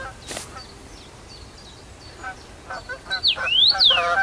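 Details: First-summer male Common rosefinch singing from his regular branch at Bazel, Belgium, 7 June 2015: a short phrase of loud, clear whistles sliding up then down near the end, over a busy background of lower, repeated calls from other birds.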